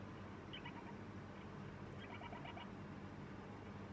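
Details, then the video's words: Lineolated parakeet chick on its second day in a new home begs during feeding with two groups of fast stuttered notes, a high pulse followed by lower repeated ones, over a low steady hum. "サザナミインコひな お迎え2日目 ピーポポ 雛鳴き"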